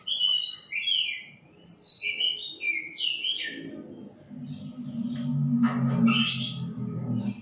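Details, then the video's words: White-rumped shama singing: a fast run of rich whistled phrases, sliding up and down and varied, then a softer stretch over a low steady hum with a few scratchy notes. "Shama birds..calling bird singing Bird"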